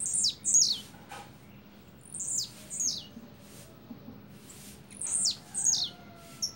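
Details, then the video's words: Double song of a blue-black grassquit: repeated pairs of thin, high descending buzzy notes, given in bursts every couple of seconds over a faint low rumble. "Tiziu canto duplo"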